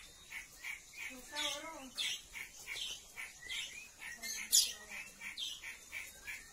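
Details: Male Oriental magpie-robin courting a female in an aviary before mating: a steady run of short, bright chirps about three per second, with a human voice speaking briefly in the middle.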